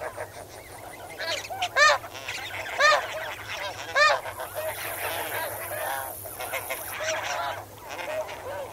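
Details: Flock of snow geese calling while swimming and wading in water, recorded at medium close range: loud, harsh, barking honks come in quick bursts, roughly one per second at times, with softer honks behind them and a faint high cricket trill.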